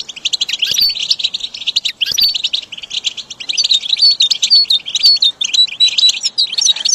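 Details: Goldfinch song training material for caged birds: lively, irregular twittering of high chirps, trills and clear short whistles, delivered almost continuously with a couple of brief clicks.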